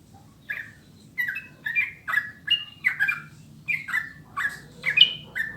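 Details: Yellow-vented bulbul song, a clear recording used to coax caged birds into singing: bubbly, liquid whistled phrases of two or three notes, repeated about every half second to second, ten phrases in a row, on a quiet background.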